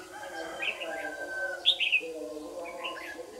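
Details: Dawn competitive singing of a red-whiskered bulbul used as a lure during trapping, Đồng Nai, June 26, 2019: a few quick, clear chirped notes, loudest mid-clip, against continuous people's voices.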